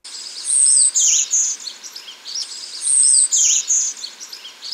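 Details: Golden-winged Warbler of the central and eastern United States sings a high, thin buzzy 'bee' then two lower buzzes ('bee buzz buzz'), given twice about two and a half seconds apart over faint background hiss.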